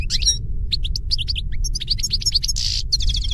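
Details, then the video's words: European goldfinch song meant for educating captive birds: quick high chirps and tinkling notes with a brief buzzy rasp, set against steady low rumble throughout. "Canto de jilguero para educar /Goldfinch singing /Chant du Chardonnet Élegant"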